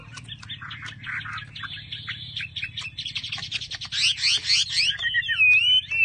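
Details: Chinese hwamei kept by a Vietnamese bird trader sings a rich, varied song: rapid chattering and buzzy notes build into loud, fast-repeated slurred phrases and clear, wavering whistles at the end, with faint low background hum.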